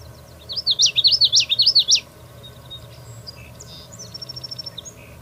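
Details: Common yellowthroat singing a loud rolling phrase of about five repeated high, wavy three-note units over roughly one and a half seconds, followed by softer chips and a faint twittering series from other birds.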